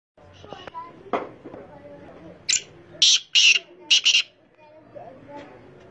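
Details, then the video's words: Black francolin giving loud, harsh, grating notes in a rapid cluster of four or five bursts mid-clip, preceded by fainter scattered sounds and low background noise. "Top Voice of Teetar Bird (kala Teetar ) Black Francolin Amazing Voice"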